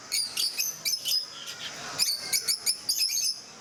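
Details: A group of peach-faced lovebirds at Mysore Zoo gives shrill, clipped chirps. Scattered pairs and triplets come first, then a quicker cluster after a short lull.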